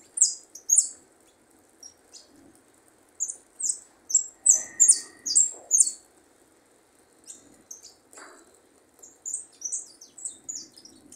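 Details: Young goldfinch (pichón) practising, marking a good prio: bursts of high, thin tinkling twitters and chirps in quick runs, a short pause near two seconds, then denser liquid phrases and a final scattered twittering series; faint low rustling beneath.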